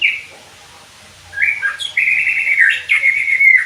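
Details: White-rumped shama song for training birds to sing: a short whistle, a pause, then a sustained, fluid warbled phrase with quick twists in pitch.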